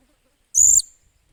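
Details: Blue-crowned hanging parrot (Loriculus galgulus), a captive bird being trained as a decoy, recorded 28 July 2021, gives one brief, very high, shrill squeaky note of about a quarter second amid near silence.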